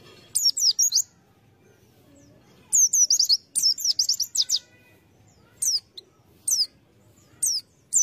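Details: White-eye serving as a lure bird, singing bursts of high, quick, descending whistled notes, several chirp clusters followed by single spaced notes.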